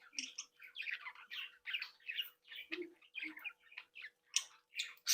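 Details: Playful captive budgerigars from a breeding flock chatter continuously in quick scratchy notes and chirps, with occasional low soft clicks beneath.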